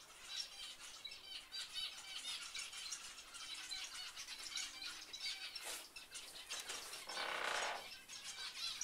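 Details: Many captive finches in a birdroom twitter continuously with bright high tweets; near the end a brief rushing burst of broadband noise, like wings or rustling, cuts across the chorus.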